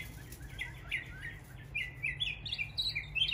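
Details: A northern mockingbird in East Tennessee, imitating the calls of local neighbourhood birds, sings a run of quick, high chirps and twitters, the phrases rising in pitch toward the end, over a low background rumble.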